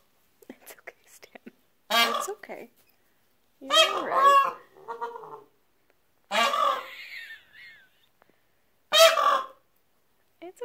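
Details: Frightened peachicks calling in alarm, a person joining in with imitated alarm noises: loud nasal honks in irregular bursts about every two seconds, some wavering, with faint soft chirps between.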